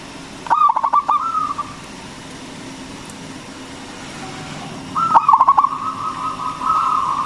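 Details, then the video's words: Local zebra dove song used as a lure to stir other doves: two phrases, each a fast run of clipped coos trailing into a long level coo, about four and a half seconds apart. "PERKUTUT LOKAL GACOR SUARA BESAR ISTIMEWA PANCINGAN BURUNG PERKUTUT AGAR BUNYI"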